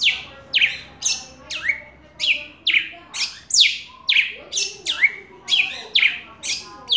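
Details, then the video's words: Red-cowled cardinal singing persistently to call a female, recorded live; loud rapid series of bright whistled notes, each sweeping steeply downward, repeated about twice per second with a slightly uneven rhythm, clear against a quiet background. "Galo da campina cantando muito chamando femia gravado ao vivo"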